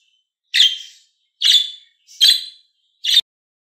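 A budgerigar gives four harsh, scratchy chirps, high-pitched and rasping, spaced a little under a second apart, with silence between them.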